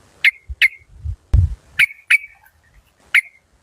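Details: Decoy yellow-vented bulbul of the Malay local strain, fierce-voiced; five short, sharp, bright chirps spaced irregularly over a few seconds, with low thumping handling noise between them.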